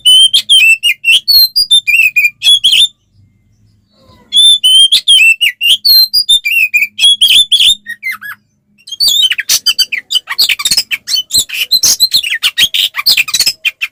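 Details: Provocative 'ngeplong' fighting song from an oriental magpie-robin, used to make other males answer. Three busy bursts of rapid chirps and looping whistles, separated by two short pauses, the last burst harsher and denser.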